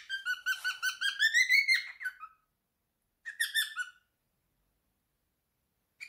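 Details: Indoor male cockatiel, aged three, sings his favourite tune: a quick series of whistled notes climbing in pitch before fading, silence, then a shorter whistled phrase and a final brief note.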